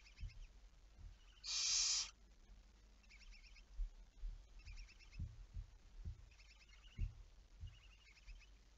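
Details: Barn owl at night, 11 May 2019, 23:34, giving a single loud rasping screech of about half a second, followed by faint soft ticking sounds in the background.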